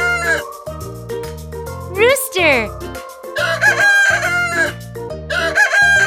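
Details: Farm rooster giving one brief, strident crow midway, sharp rising then falling harmonic sweeps, set against continuous cheerful children's background music with bouncy bass and melody notes.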